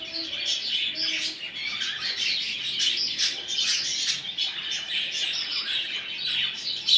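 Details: Busy budgerigar warbling played to motivate a male to mate: several birds twitter nonstop in high chirps and trills, with a few short lower notes at the start and sharp peaks toward the end.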